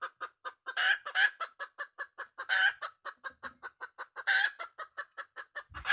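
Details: Wild red junglefowl hen calling loudly: a steady run of short, hollow clucks about four a second, broken by several louder, harsher squawking notes that rise above the series.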